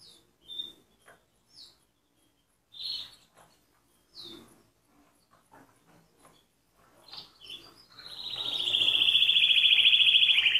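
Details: Canary singing: scattered short, high chirps separated by quiet gaps, then a sudden fast, loud, sustained trill for the last few seconds.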